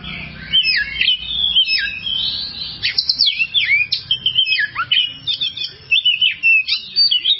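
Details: Kacer, the oriental magpie-robin, singing nonstop on a masteran tutor recording. Rapid whistled phrases keep swooping and dropping, forming a dense, varied and energetic sequence throughout.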